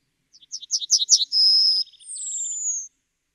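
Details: Yellowhammer (Emberiza citrinella) delivering one full song: a fast string of short chirps, a long steady high whistle, then a second thinner whistle gliding gently down, with faint buzzy notes beneath.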